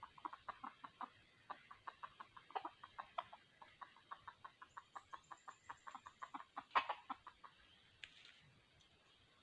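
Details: Soft rapid clucking from a red junglefowl decoy at a 2020 junglefowl trap, a long run of short notes about three per second, with a louder burst near the end.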